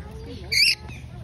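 A lorikeet gives one harsh, shrill screech lasting about a quarter second, with faint voices and low background hum around it.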